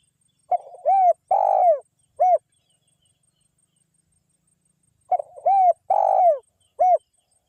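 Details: Spotted dove lure calls from a lively local wild bird: two matching phrases about four and a half seconds apart, each a stuttered start, an arched coo, a long falling coo and a crisp closing note.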